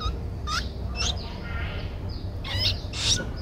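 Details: Nestling streak-eared bulbul, 12 days old, Ubon Ratchathani, Thailand, 14 April 2023: a few scratchy high notes, some falling in pitch, separated by brief pauses, with a faint low rumble.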